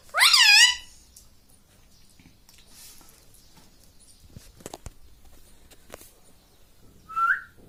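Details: Pet parrot, described as talking like a human and saying "mummy", opens with a loud harmonic swooping squawk. A long quiet stretch with faint ticks follows, then a short whistled note.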